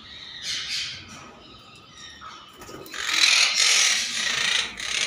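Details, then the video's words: Monk parakeet giving harsh, grating squawks in rapid bursts, loudest and busiest toward the end, with a faint background hiss. "monk parakeet"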